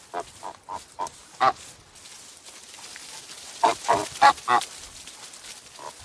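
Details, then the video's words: Farm goose producing a series of short nasal honks, four spaced notes and a louder one, then a rapid burst of four after a pause, over light background hiss. "Som de Ganso"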